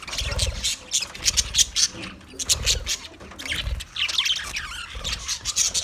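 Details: Budgerigars chirping: dense, high twittering chatter in overlapping bursts, with soft low thumps and knocks underneath.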